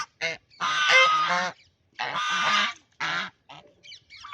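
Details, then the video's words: Pond duck at play calling with loud, buzzy, drawn-out quacks, each lasting up to a second, separated by brief silences, with a few faint clipped notes near the close. "Duck Making Sound"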